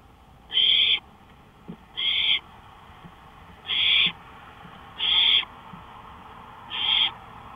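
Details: Owl at night on a porch, 1:53 AM on May 5, 2013: five short rasping hisses spaced one to one and a half seconds apart, with faint low clicks in between.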